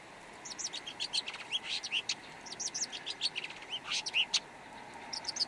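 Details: Song of a red-backed shrike: a continuous chatter of scratchy, jumbled high notes, with a brief pause after the second second, mixing buzzy clicks with short squeaky whistles.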